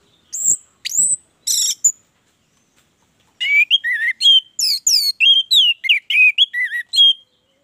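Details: Orange-headed thrush in full song: a few sharp high whistled notes, a pause, then a busy run of varied slurred whistles and chirps, rising and falling, about three per second.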